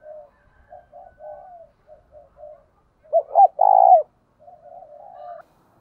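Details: Decoy spotted dove calling in the thúc and gáy gọi styles. A run of soft, low, repeated coo notes swells into a stuttered double note and a long, loud, rolling coo, then fades back into soft cooing. All else is quiet.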